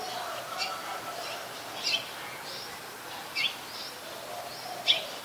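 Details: Adult red-whiskered bulbul in Ubon Ratchathani, Thailand, recorded 3 January 2021: short, sharp high notes repeat about every one and a half seconds over a steady hiss of background noise.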